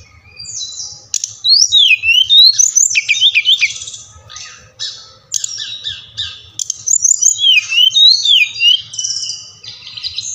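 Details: Brown-chested jungle flycatcher, Bali type, singing a lively lure song used to spur other birds to sing. Rich looping whistles swoop up and down, broken by scratchy rattles and quick repeated note series, nearly continuous throughout.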